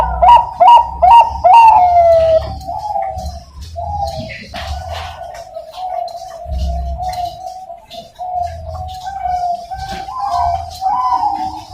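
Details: A captive male-line Bangkok zebra dove (perkutut) from an East Java breeding farm, hatched 27 September 2022, gives a powerful quick staccato run of bright, bubbling coos, then softer, lower drawn-out coos, over a low hum.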